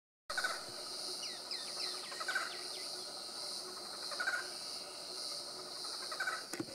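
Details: Barred forest-falcon (Micrastur ruficollis) in Chaco National Park, Argentina, 27 October 2017, giving short, barking notes about every two seconds over a steady high insect drone, with a quick series of thin chirps early on.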